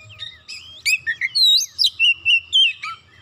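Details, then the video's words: An Oriental magpie-robin stirred up by a single provocation unloads its isian repertoire: a rapid series of loud, clear whistles, some rising and some twisting, repeated at an uneven pace of about four per second. "Kacer sekali pancing langsung emosi bongkar isian"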